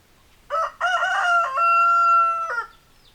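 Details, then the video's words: Rooster crowing: two short harsh bursts, then a long, steady, sustained note of about one second that breaks and drops at the end, against a quiet background. "Chicken Sounds Noises Hens Clucking Roosters Crowing"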